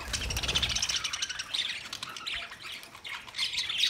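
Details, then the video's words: Budgerigar chatter, Australian parrots recorded 13 March 2024: continuous overlapping chirps and scratchy warbles, about four notes a second, fairly quiet and irregular. "Beautiful Australian Parrot sounds Budgie Sound"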